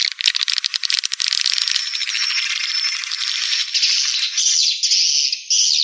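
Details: Swiftlet calling sound used to attract swiftlets: a dense, buzzy, high twittering that rattles rapidly at first, then merges into a continuous shimmering chatter with brief pulsing bursts toward the end.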